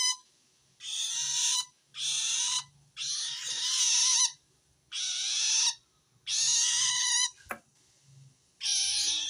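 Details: Long-tailed shrike calling wild shrikes, its call indicating it feels threatened by a rival shrike: seven harsh buzzing screeches in steady series, with a sharp click near the end.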